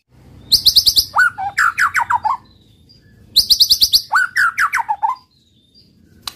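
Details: A white-rumped shama sings to spur other males into singing: a fast high-pitched trill leading into descending, slurred whistled notes, repeated twice with a quiet gap and a final click.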